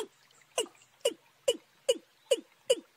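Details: Watercock calls, a young bird's voice combined with a wild bird's, from March: a series of six hollow, low, downslurred notes with sharp clicky onsets, spaced roughly every half second, in a quiet background.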